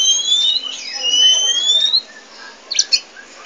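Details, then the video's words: Two long, clear whistled notes rising slowly in pitch from a pied 'poci' Oriental magpie-robin, followed by quiet and a couple of short sharp chips near the end. "Kicau Burung Kacer Poci Gacor Cerewet Nggak Mau Diam"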